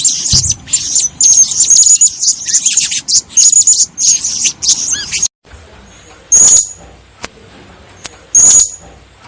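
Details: Female blue-crowned hanging parrot, described as a lively, persistent caller and suited as a breeding hen, giving shrill, very high thin chirps in quick ragged bursts, with a brief gap and then two isolated sharp notes.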